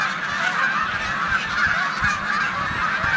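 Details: Migrating snow geese and resident Canada geese share a corn field in Savannah, New York, 14 March 2020. A dense chorus of high honks continues without a break, with a few low thudding sounds.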